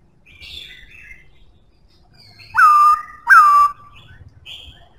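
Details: Black-throated laughingthrush, strong singer, giving two loud identical whistles that jump up then slide down and hold, about 0.7 seconds apart, between soft high chattering notes and low background rumble.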